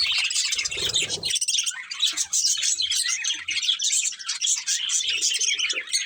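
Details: Colourful pet budgerigars chirping as they eat: constant high-pitched twittering and scratchy warbled chatter, with a rustling low thud near the first second.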